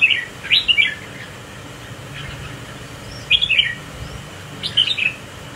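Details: A captive Red-whiskered Bulbul with a spiky crest sways in display beside competing birds. It sings three separate bursts of quick, sweet whistled notes with quiet gaps between them.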